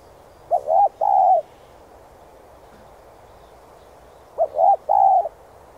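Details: Spotted dove song used to train decoy birds: a three-part cooing phrase, a short note, a rising coo and a long level coo, given twice about four seconds apart against a quiet background.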